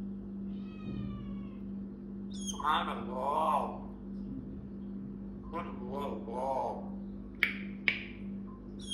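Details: African grey parrot saying "SubhanAllah", a human-like voiced phrase with stacked harmonic bands, repeated in short bursts over a steady low electrical hum, with a few sharp clicks near the end.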